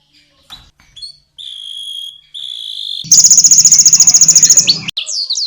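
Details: Canary song for training champion contest birds, with konin and blackthroat bursts: faint ticks, then two steady pure whistled notes, then a loud, very fast, harsh rattling trill lasting nearly two seconds, closing with high upswept notes.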